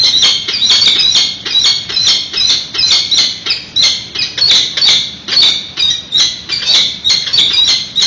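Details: Peregrine falcons at a nest in San Francisco during a prey delivery while an unhatched egg is incubated: harsh, rapid chattering cries repeated in quick bursts, with wing flaps.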